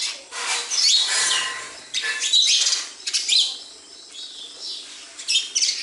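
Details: A group of sparrows at a house giving dense, high, scratchy chirping in long rolling bursts that swell and fade, with a softer lull near the end.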